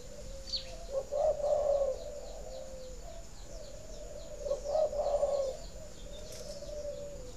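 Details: Spotted dove in a breeding aviary gives coos meant to stimulate laying: a soft lead-in, then a stressed rolling phrase, repeated twice about four seconds apart, over faint high twittering of other small birds.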